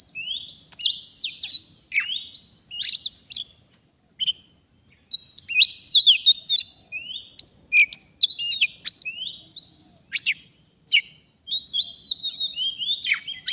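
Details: Oriental magpie-robin, described as a forest bird, singing nonstop during a bird-trapping session. Its song is a rich, varied run of sharp whistles, rising and falling slurs and chattering notes, broken by brief pauses. No other clear sounds.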